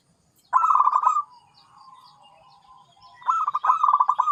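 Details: Zebra dove song: two bursts of rapid staccato cooing notes near one pitch, a fast pulsed rolling series, separated by a quieter low murmur of cooing.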